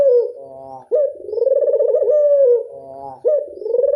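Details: Local Barbary dove giving its classic-style angungan cooing: rolling, throbbing coos that rise sharply at the start, pulse through a long vibrating middle and sink at the end, two phrases separated by softer low murmurs.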